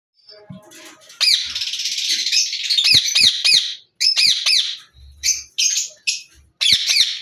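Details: A pair of yellow rose-ringed parakeets (ringnecks) trading loud, harsh, grating screeches in quick bursts, several a second, with short pauses and a few soft thumps.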